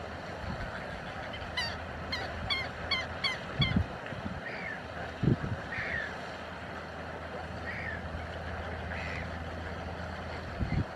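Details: Chilean flamingos at Laguna Negra, where some five thousand gather, give a quick run of nasal, goose-like honks, then scattered softer calls, over steady low wind rumble.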